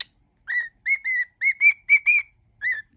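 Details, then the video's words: Pet cockatiel whistling part of a song mash-up: evenly pitched clear whistles, several in quick pairs, with small rises at the note ends. "whistling cockatiel"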